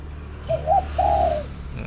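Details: A zebra dove sings in the morning in a 'three jook' style, with two short bubbling notes before a longer trilled coo over a steady low background hum.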